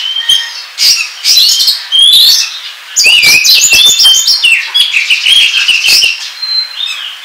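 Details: Kacer (Oriental magpie-robin) lure song for trapping birds, a busy run of sweet warbled notes, sharp chips and rapid jumbled phrases with short pauses, high-pitched and close.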